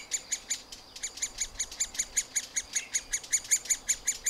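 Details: Middle spotted woodpecker young calling while fed at the nest hole, recorded on a Panasonic FZ 2000: scratchy, even notes rattle off about two and a half per second after a brief pause near the start.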